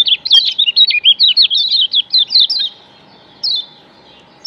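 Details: High, fast twittering from a yellow white-eye of Lombok, played as a lure to attract wild white-eyes; a dense run of slurred, rising-and-falling notes lasting nearly three seconds, then a single chirp after a pause.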